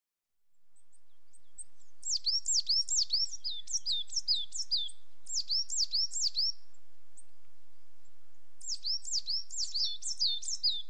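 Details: Coal tit giving bright, high, repeated two-note phrases in three bursts, each a quick run of down-slurred whistles, with quiet pauses between and a faint background hiss.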